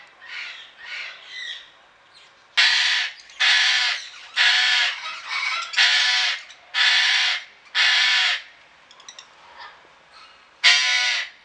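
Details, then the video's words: Eclectus parrot at the Deanery Garden in Pelhřimov on 18 August 2017, giving loud, harsh, grating screeches, each about half a second long and repeated roughly once a second, with fainter squawks in the gaps. "Eklektus různobarvý"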